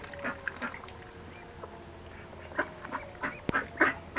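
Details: Red-billed teal sharing space with a dominant pair: short, harsh quacking bursts repeated irregularly, several in quick clusters, over a steady low hum and faint background clatter.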